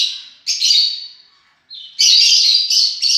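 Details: Shrill, buzzy lovebird screeches: a fading cry, a harsh burst, a short purer whistled note, then a long loud grating shriek.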